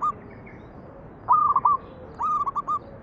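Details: Zebra dove manggung song for luring others to sing: two fast, rippling cooing phrases about a second apart, each a clipped rising note followed by rapid stutters.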